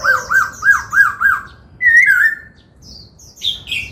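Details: Dancing laughingthrush in song training for 'bắt cô trói cột': five quick arched whistles in a row, then a strong wavering downslurred whistle and softer high notes after a pause.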